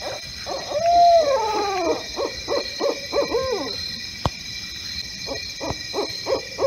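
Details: A neighbourhood owl in Poughkeepsie, New York, recorded in the middle of the night in autumn 2018 and identified by others as a barred owl, gives loud, throaty hoots with a sliding, wailing note, then quick clipped hoots over a steady insect drone.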